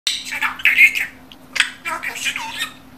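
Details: Pet budgerigar talking, mimicking human speech: rapid raspy, chattering syllables in short bursts, with a faint steady hum in the background.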